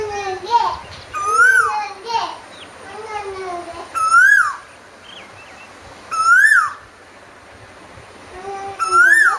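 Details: Asian koel singing: loud rising whistled notes, each climbing then dipping, repeated roughly every two and a half seconds, with lower fainter calls from other birds between them.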